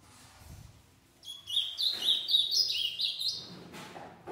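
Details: Captive-bred ultramarine grosbeak, shown as a breeding male alongside its six-month-old son; one bright warbled phrase of quick, slurred whistled notes stepping up and down, lasting about two seconds, over faint low room rumble.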